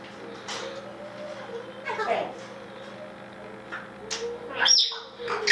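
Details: Female grey parrot repeating the word 'носик' (little nose) as her owner praises her as a good girl: brief speech-like bursts and a cluster of thin high whistled chirps late on, over a low steady hum and human voices.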